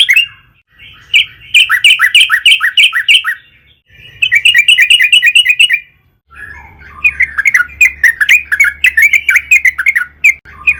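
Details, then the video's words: Yellow-vented bulbul singing energetically as a lure: three extended runs of rapid bubbly notes, the last more jumbled and chattering, separated by brief gaps, with a steady low hum underneath. "burung trucukan gacor PANJANG buat PANCINGAN TRUCUKAN AGAR BUNYI"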